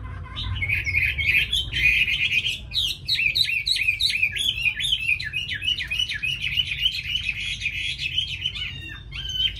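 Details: Tame Chinese hwamei with a fine, eager voice pouring out a dense, continuous warble of quick up-and-down whistled notes, rich and unbroken across the whole stretch.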